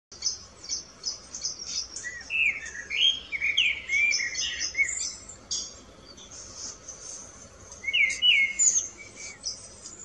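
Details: Alpine choughs in the mountains give bursts of short, sweeping, high trilled chirps over a steady, shrill chatter from many birds, likely a calling flock.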